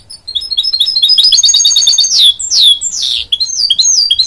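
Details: Hybrid goldfinch-canary mule sings continuously: quick high chirps, then loud descending swooping whistles and buzzy notes mixed with rapid twittering, varied and uneven in rhythm throughout.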